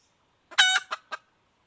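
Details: A female red junglefowl gives one loud, rough squawk followed by two quick clucks in a short, abrupt call.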